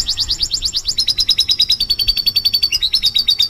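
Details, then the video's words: Canary song used to prompt other birds to sing: fast, evenly repeated notes, first steeply falling sweeps, then a steady rapid trill that shifts pitch slightly, about seven notes per second. "Kenari Gacor Nembak || Pancingan Kenari"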